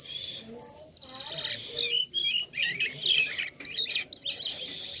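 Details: Jalak kapas starling singing a varied, toy-like song: squeaky chattering phrases, mechanical-sounding whistles and rattling bursts, run together with brief pauses.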